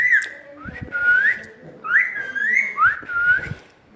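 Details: Pet parrot, described as talking nonstop, whistling a clear melodic phrase of rising and looping notes in three groups, with soft clicks and taps between them.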